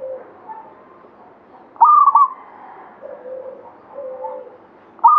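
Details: Local zebra dove, katuranggan Banyumili, giving one loud cooing phrase with a bright upward start, then quiet low coos before the next phrase begins.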